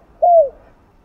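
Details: Spotted dove (cu gáy) giving a "two-ending" coo of the kind played to excite other doves: a single smooth, mellow coo, held briefly and dipping slightly at the end, against a quiet background.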